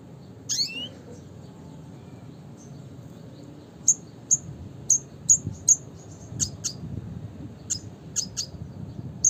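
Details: Red siskin (Spinus cucullatus) giving the classic call style: a rising sweep early, then a run of sharp, high chirps, roughly two a second, over a faint low hum.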